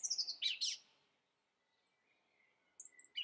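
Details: Song thrush with a brief high descending whistled run and a couple of sharp notes, then a pause and faint thin whistles, with soft background hum.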